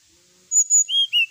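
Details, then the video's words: Brief phrase from a Brown-chested jungle flycatcher, sung to provoke rival birds: a high whistle followed by two lower, clear whistled notes. "suara pancingan srdc agar lawan cepat emosi gacor"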